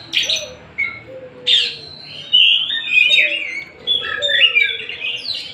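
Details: Oriental magpie-robin, Tasik type, opening with a few sharp, separate notes and then running into a fuller warbling sequence of whistles and trills.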